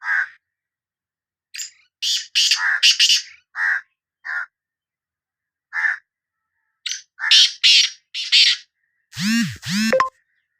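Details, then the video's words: Sindhi black francolin uttering repeated harsh, crackling notes in irregular clusters over ten seconds, ending with a lower, wavering sound. "Kala Teetar Voice | Black Frankoline Voice کالا تیتر کی آواز"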